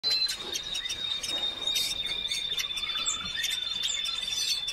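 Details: Hooded siskin (Spinus magellanicus), a black-hooded finch at a bird supply store, sings a high, thin, sustained buzzy note under quick scattered twittering chirps, with faint background clatter.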